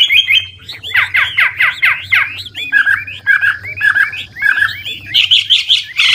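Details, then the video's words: Old wild Chinese hwamei singing to stimulate young birds; a series of loud downslurred whistles, then short lower slurred phrases repeated about once a second, ending in quick high notes, with low hum behind. "Tiếng chim họa mi mồi già rừng hót luyến láy đảo giọng liên tục, giúp kích chim bổi nhanh hót"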